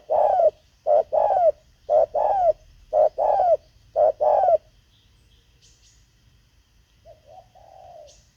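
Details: Spotted dove heard during decoy luring of wild birds, giving six evenly spaced pairs of short and long coos, then silence, a softer distant coo and a few high chirps.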